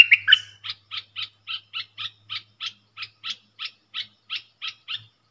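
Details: Caged bulbul in a song duel with wild birds, 3 October 2021: a quick twittering start, then about fifteen identical short chirps delivered at an even, brisk pace.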